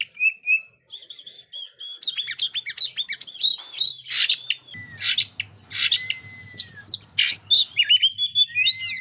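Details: Oriental magpie-robin singing energetically in ngobra style, played to test still-mute birds. Opening clear whistles give way to fast, continuous chattering, harsh broad notes and long sliding whistles. A faint low hum sits underneath.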